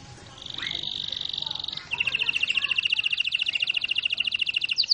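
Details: Canary in rolling song: a smooth, fast buzzing trill, then a louder, rapid series of high, sharp repeated notes that continues steadily, with faint background voices.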